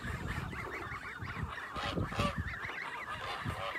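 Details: Kholmogory goslings on a farm on 27 May 2020, peeping in a busy chorus of wavering, rising-and-falling notes repeated rapidly. Low rustling and shuffling sounds run underneath.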